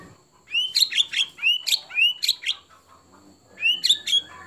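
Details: White-rumped shama (murai batu) competition phrases of the kind favoured by contest judges: short rising whistles each snapping into sharp high chips, given in quick bursts with a brief pause before a final phrase.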